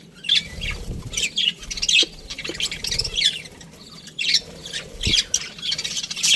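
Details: Flock of budgerigars in an aviary giving harsh, squawky chirps and chatter in repeated short bursts, some louder calls rising above a steady background of twittering.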